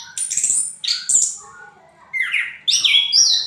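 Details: Punglor merah, the orange-headed thrush, singing ngriwik: two loud squeaky twittering bursts, a quiet pause, then a rapid rising run of high chirps and whistles.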